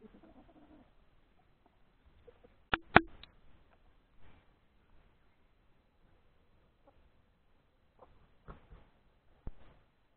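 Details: Hen laying an egg out in the open, giving scattered short, sharp clucks, a loud pair near the start and a few more later, separated by long quiet gaps.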